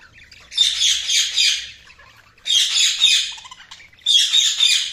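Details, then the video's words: Budgerigars chirping: three dense bursts of high, scratchy warbling chatter, each lasting about one to two seconds with short quiet gaps between. "Budgies Sounds| Budgies Chirping sound"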